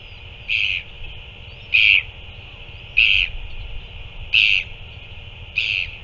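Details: Northern royal albatross at a feeding on 9 February 2024, giving short, high, thin squeaky calls, five of them at a steady pace of about one every 1.2 seconds, over a low wind rumble.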